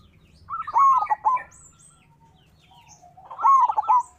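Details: Local zebra dove in full voice, used as a lure to provoke rival doves to sing. It gives two separate bursts of rolling, quavering coos, each about a second long, with a quiet gap of roughly two seconds between them.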